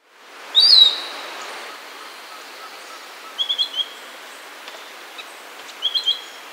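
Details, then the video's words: Piratic flycatcher giving one loud, high whistle, then two quick bursts of three short, thin whistled notes several seconds apart, over a steady hiss of background noise. "Flycatcher Piratic"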